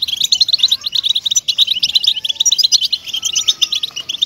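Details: {'caption': 'Captive-style European goldfinch song meant to motivate other goldfinches: a fast, unbroken stream of bright, tinkling twitters and buzzy notes, with a few faint thin whistles in the background.'}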